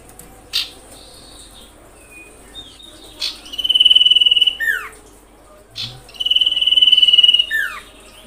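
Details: Common iora calling to provoke other ioras: two long pulsed trills held at one high pitch, each about a second and a half, and each ending in a quick downward slurred note, with short chirps between.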